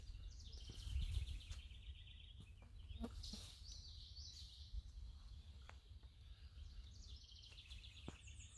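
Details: American Redstart sings thin, high, sibilant phrases, three bursts over about eight seconds, on an early-morning walk at Landis Arboretum, where two redstarts seemed to be fighting; steady low rumble of wind and handling noise.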